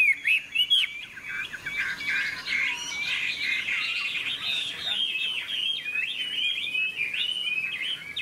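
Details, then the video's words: Hwamei, bright golden with a large tail and active wings, in contest song (hót đấu); a brief sharp burst, then a sustained, tumbling flow of rapid whistled notes and short chirps with barely a pause. "Họa mi hót đấu"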